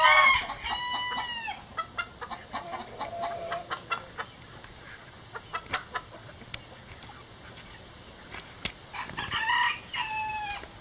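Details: A Gold Sebright bantam rooster, after joining a hen's egg song, crows from a backyard roof to the other chickens: a high, thin, strained crow, then short clucks and sharp clicks, ending with a second crow.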